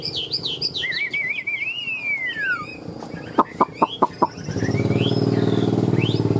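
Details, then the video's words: Caged, wild-caught Chinese hwamei, about 90-95% tame and a good fighter, singing rich, loud whistled phrases that warble up and down, ending in a long falling slur, followed by five sharp clicks and a harsh buzzing rattle. "Họa mi ngũ trường"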